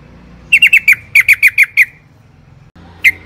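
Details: Yellow-vented bulbul: two quick bursts of four and five bubbly, down-slurred notes, then a pause and one final note, over a faint low hum.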